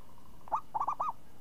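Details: A champion zebra dove with crisp, swinging renyah ngayun voice: a short phrase opening with a rising coo, a pause, then three quick rolling notes with the last drawn out and arched.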